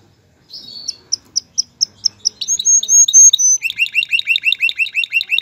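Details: Male canary singing to prompt a female to pair and build a nest: quiet start, then evenly spaced high pips, long bright whistles, and finally a rapid repeated run of rising chirps.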